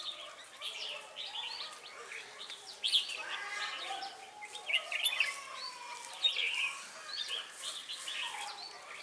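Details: Red-whiskered bulbuls heard during trapping at Ba Thá, 18 December 2016, a lure bird calling to wild birds. Mixed whistles and chirps from several birds overlap, with sharper high notes punctuating a steady chatter.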